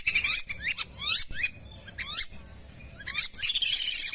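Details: Lesser whistling duck calls used as a lure for wild ducks in rice fields, swamps and wetlands: clear, sharply rising whistled notes in quick bursts, a near-silent gap in the middle, then a thicker run of whistles.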